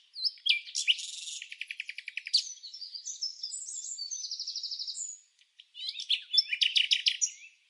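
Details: Red-backed fairy-wrens interacting during the non-breeding season in Samsonvale, Australia: sharp chips and high reeling trills with a buzzy rattle, a short gap, then renewed bursts of fast twittering.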